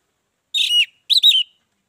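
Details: Two brief whistled phrases of an orange-headed thrush, used to lure other birds into singing, each a rich warbled note with a dipping slur, half a second apart.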